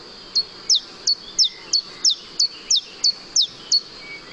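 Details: Common Chiffchaff song in forest habitat, Spain: clear, high notes about three a second in a very regular rhythm, alternating between two fairly pure, sonorous pitches like 'chiff-chaff'.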